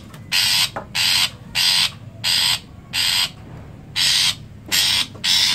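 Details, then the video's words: A Long-tailed Shrike gives a steady run of harsh, raspy notes, each a short scratchy burst, repeated about every two-thirds of a second over a faint low hum. "masteran burung cendet"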